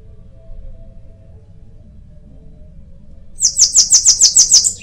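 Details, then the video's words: After several seconds of near silence with faint low hum, a bananaquit bursts into a quick run of about nine shrill, buzzy notes. "Canto de sibite"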